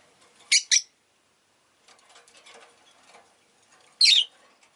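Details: Two quick, shrill chirps, then a longer, harsher squawky chirp a few seconds later, from pet Rosy-faced lovebirds, several of which were chirping well on this day. Faint chatter sits between the calls.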